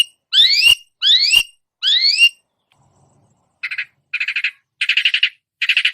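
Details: Long-tailed shrike imitating other songbirds: three loud rising, harmonic slurred notes about half a second apart, a pause, then four harsh, buzzy, rapidly pulsed bursts growing stronger toward the end.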